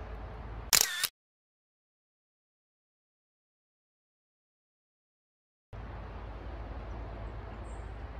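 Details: A short, loud burst of noise is followed by a long stretch of silence, then steady low background hiss.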